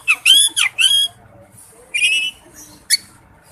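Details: Several loud, curving whistled notes from a male oriental magpie-robin calling a female, followed by a harsh buzzy note and a single sharp chip.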